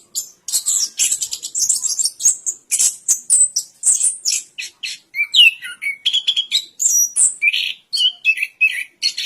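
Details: Orange-headed thrush song from Indonesia: fast, high chattering bursts that give way to lower, richer warbled and slurred whistles in the second half, delivered in quick, regular phrases.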